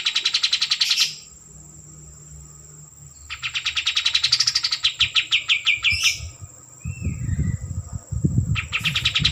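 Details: White-eared bulbul (kapas tembak) song: bursts of quick, high, evenly spaced notes forming chattering trills, separated by short pauses, with some low rumbling thumps in the background toward the end.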